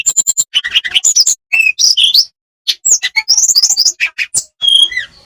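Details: Olive-backed tailorbird song made of quick ticking notes, twisting whistles and bursts of chatter, broken by a clear pause midway, used as training sound to make reluctant birds sing.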